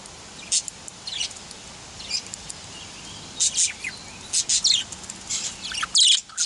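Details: Male budgerigar (parakeet) giving short, high, scratchy chirps in scattered bursts, sparse at first and then clustering into quick runs of two or three notes toward the end, over a faint steady hiss.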